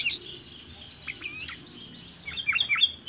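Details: Wild sooty-headed bulbul near a residence giving quick, bright chirps and short whistled notes, fairly high and irregular, with a louder burst of chattering phrases near the end.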